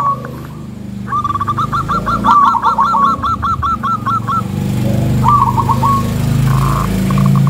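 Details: Local zebra dove song, thick-voiced and rhythmic, used to provoke rival zebra doves: a long run of rapid, bubbling coo notes, then a shorter burst, over a steady low rumble of background noise.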